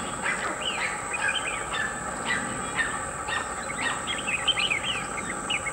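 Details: Brown shrike giving harsh, scratchy chattering notes in irregular clusters, with a steady high insect whine and a low background hum.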